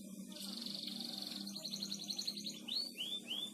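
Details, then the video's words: Canary master song for training, sung gacor ngebor: a fine high trill leads into rising looped whistles, over a low steady hum. "Masteran Burung Kenari gacor ngebor"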